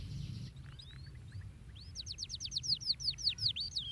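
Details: Canary singing to stimulate other canaries: a buzzy start and a few thin whistles, then a steady fast trill of repeated arched whistled notes, roughly five per second.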